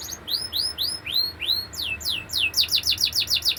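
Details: Canary song that moves from slower, separate rising-and-falling whistled notes into a rapid, pulsing run of repeated syllables.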